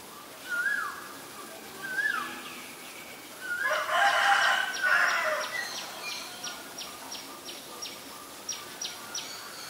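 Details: Black-collared starling recorded in Ubon Ratchathani, Thailand, on 17 April 2022: two short slurred rising whistles, then a loud harsh, rasping burst of about one and a half seconds, followed by a faint train of high, regular ticking in the background.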